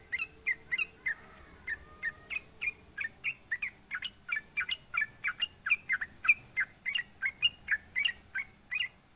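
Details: Sooty-headed bulbul singing in a lively way to provoke rivals and draw a quick reply: short chirpy notes in rapid series, several a second, over a steady high insect-like hum.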